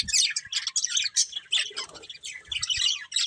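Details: A breeding pair of colourful budgerigars trade quick high chirps and short squeaky notes in bursts, with brief gaps and faint low knocks.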